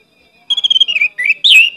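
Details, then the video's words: Orange-headed thrush pouring out a varied lure song, with a trill of repeated high whistles sliding down into warbled, looping slurs. "pancinagan anis merah gcor banyak isian"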